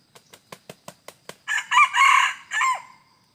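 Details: Red junglefowl during wild junglefowl decoy trapping, 2 November 2021: about seven sharp wing-clap pulses in quick even succession, then a loud, harsh, broken crow in several rough segments, the last dropping off.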